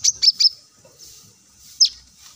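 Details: Plain-throated sunbird, kolibri kelapa, recorded as a lure to get other birds singing. Three quick high chips come in a row, then one more after a short pause.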